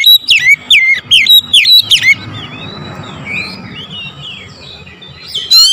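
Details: Morning lure song of an oriental magpie-robin: a rapid series of loud, ringing whistled notes that dip and rise, repeated about twice a second for two seconds, then fainter background birdsong and one last note.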